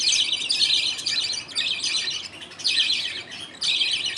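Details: Pet budgies in a happy colony at feeding time, father budgie feeding two baby budgies as others wait their turn; continuous buzzy, twittering chatter in surges roughly once a second.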